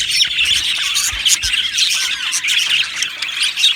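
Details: Aviary flock of Australian budgies chirping: harsh squawky notes and rolling, wavering warbles over a dense background of many birds twittering at once.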